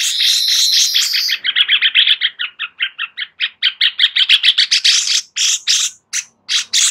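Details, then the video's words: Sooty-headed bulbul song offered as master material for White-rumped Shamas: a long run of rapid, evenly spaced chattering notes, a few per second, trailing into sharper clipped bursts. "Master Cucak Cungkok cocok untuk Murai Batu agar NAMBAH ISIAN"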